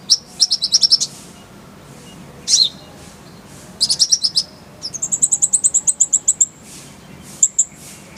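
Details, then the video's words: Kolibri ninja (konin) song used as masteran training audio: bursts of very high, thin rapid chirps and trills, stuttered notes and a long buzzy rattling series, separated by short pauses, with faint low background hum. "Masteran Konin_Kolibri Ninja"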